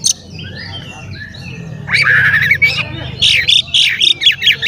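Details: Oriental magpie-robin singing to stir up other magpie-robins: soft distant chirps at first, then a loud run of varied whistles, harsh squeaky notes and rapid clipped chirps repeated in quick bursts.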